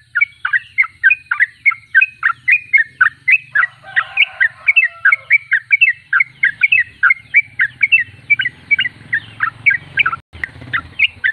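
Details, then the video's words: Sooty-headed bulbul singing continuously (gacor) in a rapid chattering stream of short bubbly notes, about three to four per second, with a low hum and a brief softer background sound midway. "Trucuk termewah suaranya paling di cari"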